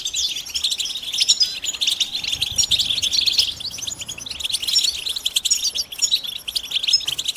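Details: European goldfinches in a group utter mating and readiness calls said to excite males into singing. A thick, continuous chatter of high, buzzy chirps and trills fills the recording.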